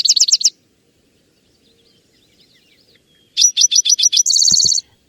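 Spotted Towhee: a quick burst of high chipping notes, then after a pause a few sharp notes running into a fast, buzzy trill. No other sounds are heard.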